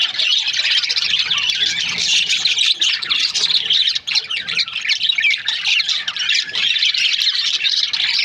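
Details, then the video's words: Breeding pairs of budgerigars fill the air with unbroken, busy chirping: many high, buzzy and squeaky notes overlapping steadily, with one brief dip near the middle. "Budgies parrot chirping sound"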